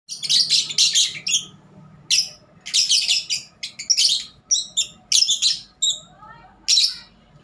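Lovebird chatter: rapid, harsh, high squeaky chirps and buzzy notes in bursts every half second or so, with a faint low hum in the background.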